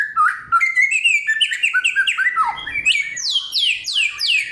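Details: Loud, clear song from a black-throated laughingthrush, or samyong, known for '1001 voices' and forest material: warbled mid-pitched phrases give way to a run of repeated high downslurred whistles.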